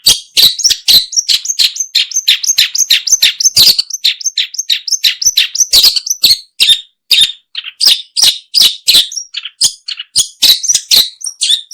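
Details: Long-tailed shrike voice for bird luring: a dense, continuous stream of scratchy, chirping and sliding notes, varied and fast, with loud harsh rasps mixed throughout twelve seconds.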